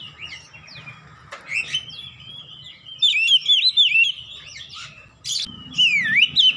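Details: Kacer, or Oriental magpie-robin, singing to prompt a silent bird: soft scratchy notes building to rapid zigzag whistled trills, a sharp click, then a deep swooping whistle, over a low faint hum.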